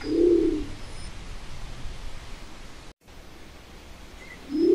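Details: A Nicobar pigeon (Caloenas nicobarica) gives a low, hoarse, grunting coo, repeated about four seconds later after near silence; faint high chirps sound in the background.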